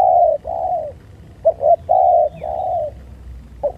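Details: Spotted dove during a fight, producing long, even, low coos broken by quick doubled notes in a near-continuous sequence; a single faint high chirp sounds in the background.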